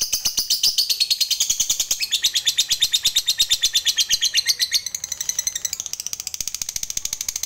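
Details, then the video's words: Lovebird of fighter type giving a long ngekek chatter, used as a lure to get other lovebirds singing: a fast, unbroken stream of high, buzzy repeated notes that shift pitch partway through. "PAKAI PANCINGAN SUARA LOVEBIRD INI AJA, AGAR LABETMU JADI FIGHTER DAN TAK LAGI MALAS BUNYI"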